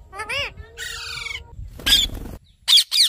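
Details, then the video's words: Parrot, called tota, calling with mixed vocal sounds: a wavering harmonic warble, a flat drawn-out tone, then a rough screech and two short harsh squawks, with quiet gaps between. "Parrot | Tota | Parrot Talking | Parrot Sounds"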